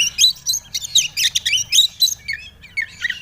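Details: Magpie-robin song played to prompt untrained birds to sing: steady rapid chirps, roughly four per second, shrill and varied, easing into lower slurred whistles at the end.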